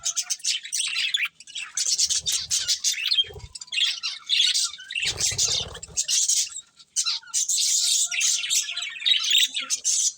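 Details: Budgerigars feeding, keeping up a busy run of high chirps, squeaks and grating chatter in uneven bursts, with a few louder low knocks and rustles between.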